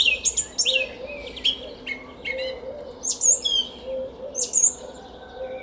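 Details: A song thrush sings in a garden in Szalkszentmárton, Hungary, at 06:15 on 10 April 2021, giving loud, varied phrases of sharp whistles, chirps and rapid notes in short bursts, with a softer repeated cooing in the background.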